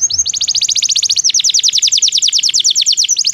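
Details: Belgian canary song for training non-singing canaries: a continuous rapid rolling trill of bright high notes, changing note shape partway through, with no pauses over three seconds.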